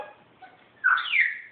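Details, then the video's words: Captive African grey parrot coughing and clearing its throat on its owner's request: a short harsh, noisy burst with a bending tone, closing a quiet stretch in an indoor room. "Coughing Bird"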